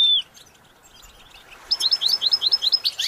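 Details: After a quick high slurred note and a pause, the goldfinch starts a run of rapid, evenly spaced twittered chirps that continue to the end.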